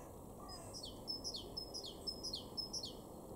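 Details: Male great tit (Parus major) song in a garden in Weener, East Frisia, far northwest Germany, March 2023: a bright two-note phrase, high then lower, about twice a second, over steady background hiss.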